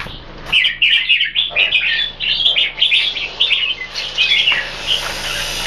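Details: Caged red-whiskered bulbul from a Singapore-style jambul keeping, singing a fast babbling run of bright warbled notes, over a faint steady hum in the background.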